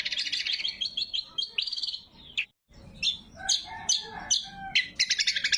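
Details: Greater green leafbird singing a varied lure and training song: a buzzy trilled run, then a brief silence, followed by sharp whistled chips, lower warbles and a renewed rapid chatter.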